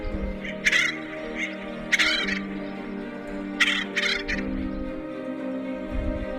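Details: At a nest hole in San Diego County, adult Acorn Woodpeckers feed a nestling-aged young bird. Scratchy, grating calls come in short clusters about every one to two seconds, set against sustained background music.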